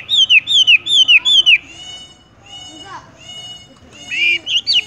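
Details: Horsfield's bush lark, locally wambie, in a tung roll song: four looping whistled phrases in quick succession, followed by soft hum and a brief burst of higher warbled notes.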